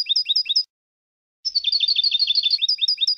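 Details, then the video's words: European goldfinch singing contest-style phrases for training: quick paired twitters, a short silence, then a rolling tinkling trill that breaks back into bouncing chirps, heard cleanly without background noise. "Canto del Jilguero 5 horas para educación de concurso"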